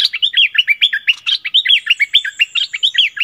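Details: Decoy Streak-eared bulbul in song, 16 February 2021, delivering a loud, rapid chattering series of hooked, slurred notes in near-continuous rhythm for over three seconds.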